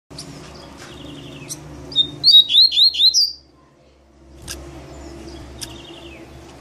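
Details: Double-collared seedeater singing in the maninho song style: faint buzzy notes, then a loud, rapid burst of about five sharp, high, down-slurred whistled notes lasting over a second, followed by a pause and softer scattered chips.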